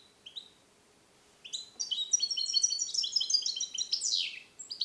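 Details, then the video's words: Captive-born European goldfinch, hatched 2021 and song-trained in the Neapolitan style, recorded alone in a small carrier cage: after a few soft high chirps, a fast, dense run of bright twittering and tinkling notes with rapid buzzy slurs. "Cardellino Passata Napoletana 2021 - KH24 - European Goldfinch - Jilguero cate limpio"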